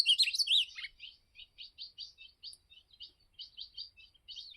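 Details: Campeada song of an azulão, the ultramarine grosbeak: it opens with a loud, swooping warbled phrase, then continues with a steady series of soft, short chip notes, about three per second, in a quiet setting.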